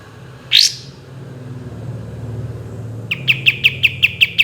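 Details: Olive-winged bulbul (kapas tembak) in a song training recording: a single loud upward-sweeping shot note, a rumbling low background for two seconds, then a rapid burst of short sharp repeated notes.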